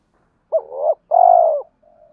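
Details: Spotted dove cooing to provoke fighting and to call a mate, used to coax a stubborn wild-caught bird to coo: one clean, low, hollow two-part coo, a short wavering note then a long steady one, with a faint trailing tone.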